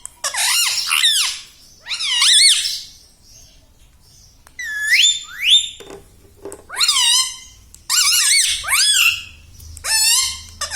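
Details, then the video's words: Rose-ringed parakeet kept as a talking pet, saying words such as "mummy", produces clusters of shrill, strongly harmonic speech-like syllables with swooping pitch. The clusters are separated by pauses of one to two seconds. "bolta parrot talking video"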